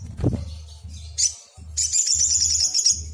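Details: Excited Brown-throated Sunbird song played to make other birds respond: a brief high twitter, then a rapid, very high, even trill running over a second, against a low humming background.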